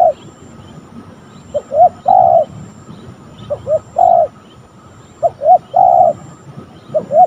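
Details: Wild spotted dove in a coconut tree near home on an afternoon, cooing in soft, low phrases: two short notes then a longer drawn-out coo, repeated about every two seconds over a faint steady hum.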